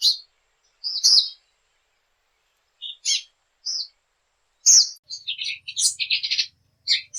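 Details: Tanager of Latin America: scattered sharp high chips at first, then a rapid jumble of chattering twittery notes toward the end, all high-pitched over silence.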